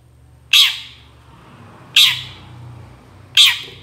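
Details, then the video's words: Long-tailed shrike calling to provoke other shrikes to reply: three raspy squawks at irregular gaps of about one and a half seconds, with low background rumble and hum. "CENDET GACOR SUARA AMPUH UNTUK PANCINGAN CENDET MANAPUN AUTO NYAUT BUNYI"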